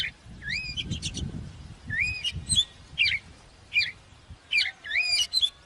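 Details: Oriental magpie-robin song, offered as a recording for training birds to sing, in bright whistled phrases rising and twisting, given in bursts about every second with short buzzy ends. A low rumble sounds early on.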